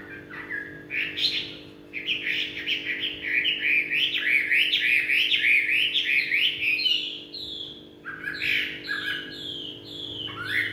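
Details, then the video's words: Chinese hwamei singing in the evening: a long, rich run of loud, varied whistled phrases, each note sliding up or down, fast and changeable, with brief pauses, over a steady low electrical hum. "họa mi hót tối"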